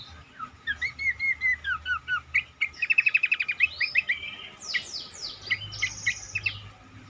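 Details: Cingcoang song played to make other cingcoang sing more readily: looping slurred whistles, then a rapid rattling trill, followed by high sweeping chirps and stacked metallic notes.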